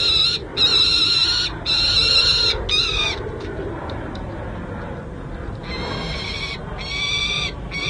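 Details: Two young peregrine falcons at the San Jose City Hall nest, California, on 29 June 2024, playing and being fed. Harsh, harmonic screams come in loud bursts of about a second, with short gaps, over a constant background rush.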